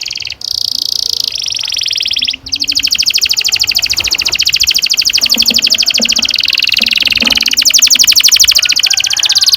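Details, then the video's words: Canary delivering a long, continuous rolling song to encourage young canaries to sing: a fast, steady high trill that holds for several seconds, with faint low knocks in the background. "Kenari gacor NGEROL PANJANG"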